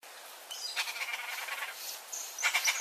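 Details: Turquoise-fronted amazon, Amazona aestiva, in Brazil, a parent feeding its chick: bursts of harsh, rapidly pulsed noisy sounds, with thin high whistles from other birds near the end.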